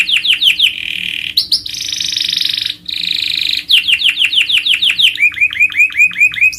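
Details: Canary song recorded as a master for training other birds: rapid downslurred notes, long buzzy rolling trills, then quick repeated swept notes ending in lower upslurs.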